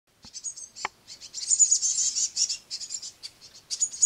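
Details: Great tit brood on a window sill at a bird table, noisy young being fed crushed madeleines by a parent: dense high hissing, chittering begging calls in rapid overlapping bursts, with a sharp knock near the start.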